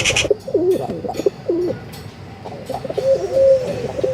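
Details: Pigeons giving low, throaty rolling coos in short bursts, with brief gaps between phrases and a longer, steadier coo near the end; faint background noise.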